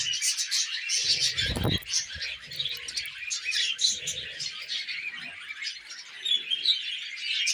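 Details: Tamed pet budgerigars eating millet: dense, continuous warbling chatter of many birds, with rapid twittering and scratchy notes overlapping throughout and a brief low thump near the start.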